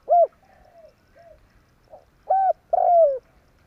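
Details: Trapping-lure call of a spotted dove in tarik akar style: a loud short coo, faint soft trailing notes, then another short coo followed by a long descending coo.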